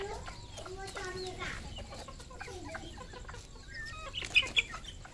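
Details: Red junglefowl kept on a Cambodian farm giving low, rounded, harmonic clucks and short murmured notes, with a pair of sharp louder clicks near the end.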